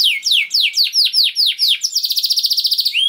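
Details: Canary song, kenari gacor style: a run of loud downward-sweeping whistles about four a second, switching into a fast, even buzzy trill that fills the second half.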